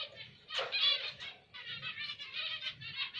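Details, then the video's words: Zebra finch calls: dense, nasal, buzzy harmonic notes chattering in quick bursts, with a louder burst near the start and a brief pause before the chatter resumes over a low hum. "Zebra Finch Karo Emprit Jepang"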